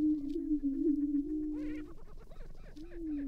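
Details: Lek of Greater prairie-chickens in northwest Minnesota in April, with males fighting and chasing a young male from the lek centre. A continuous low moaning drone carries under scattered rough, clucking cackles.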